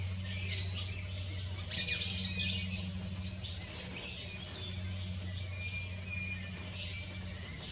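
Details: Rufous-tailed hummingbird giving high, thin, squeaky chirps and twittering notes in quick bursts early on, then scattered single high chips, over a steady low mechanical hum.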